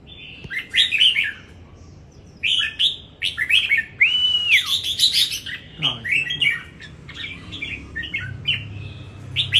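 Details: Competition singing by a caged red-whiskered bulbul in Đồng Nai, Vietnam: lively strings of warbled, chirpy phrases, with one drawn-out arched whistle in the middle, delivered almost without pause.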